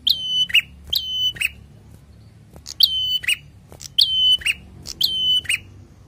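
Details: Prinia in full song in the 'ngalun' style, with five phrases in six seconds. Each is a bright whistled note that drops from a high start and holds steady, then ends in a lower chirp. Faint clicks sound between phrases over low hum.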